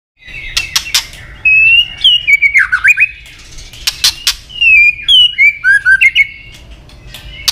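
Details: Female white-rumped shama voice, played to excite males into fighting; loud whistled notes sliding around 2–4k with sharp clicking "tach" notes and broken chattering phrases, repeated in bursts.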